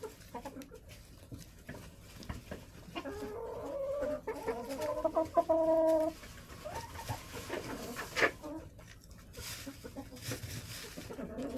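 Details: Hens clucking inside a backyard coop on a snowy, freezing January day: a stretch of loud drawn-out cackling notes in the middle, softer murmured clucks around it, and rustling and scratching throughout.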